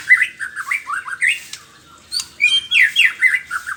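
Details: Morning song of a white-rumped shama: loud, rapid runs of short up-slurred and down-slurred notes, briefly pausing mid-phrase before another fast, varied burst of chattering whistles.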